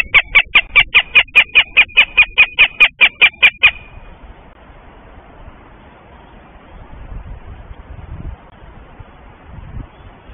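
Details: Goshawk near Tartu, Estonia, calling in a steady run of about fifteen sharp, nasal cackling notes, evenly repeated for nearly four seconds, then falling silent with only low rural background noise remaining.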